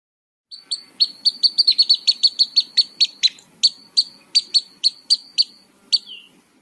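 Pygmy Nuthatch giving a rapid series of high, squeaky piping notes, about three a second, held within a narrow pitch band.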